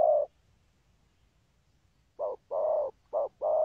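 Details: Spotted dove cooing in the thúc gù pattern. A single coo is followed by a pause of nearly two seconds, then two short-long pairs of low hollow notes.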